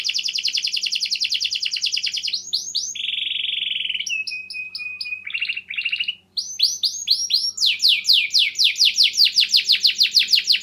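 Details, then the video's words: Canary in lively, clear-voiced song, used to prompt silent canaries to sing: fast high trills, a steady buzzy held note, sharp upslurred notes, then rapid descending sweeps repeated about twice a second; faint low hum beneath. "KENARI GACOR SUARA JERNIH, PANCINGAN KENARI MACET AGAR CEPAT RAJIN BUNYI"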